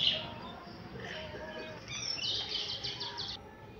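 A common myna gives scratchy, varied notes, then a quick burst of harsh, rattling chatter over a steady background hiss.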